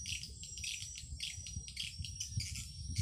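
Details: Amplified swiftlet calling sound from swiftlet farming: quick bursts of high, clicking chirps, roughly one or two per second, with a thin whistle-like tone running through and a low background rumble.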